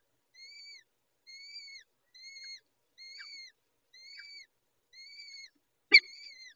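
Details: Peregrine falcon chicks fed by the adult female: even series of thin, drawn-out, slightly arched squeals spaced under a second apart, ending with one loud, sharp click.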